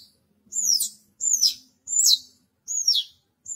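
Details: A Horsfield's bush lark (Mirafra javanica), a strongly singing kept bird, repeats high, thin notes that dip downward, about one every three-quarters of a second, over a faint low hum.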